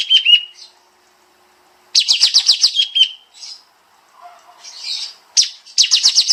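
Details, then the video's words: Pied Triller (kapas tembak) training master in dense 'nembak' style: a falling whistled note, then fast bursts of high, sharply slurred notes, another descending whistle, and soft chatter between trills. "Masteran Burung Kapas Tembak Suara Rapat Nembak Nembak"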